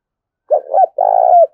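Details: Spotted dove decoy bird in full calling coo. One clear phrase: two short rounded notes, then a long, level, slightly tremulous coo that falls away at its close. The background is silent.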